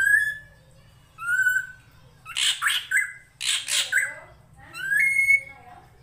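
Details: Master recording of a drongo (srigunting krantil) for songbird training: smooth whistled notes frame two bouts of coarse, scratchy squawking, ending in a long rising whistle, with a soft water murmur behind.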